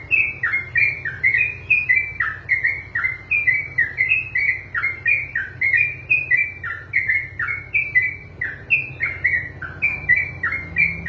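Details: Long ropelan song of a trucukan, the yellow-vented bulbul: a dense, non-stop run of short bright whistles, dipping and rising, about three per second for over ten seconds, with low hum underneath.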